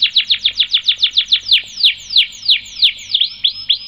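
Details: Canary in long rolling song, used as tutor audio and to provoke other canaries to sing: a fast even train of downward-sweeping high trills, about three per second, slowing slightly toward the end.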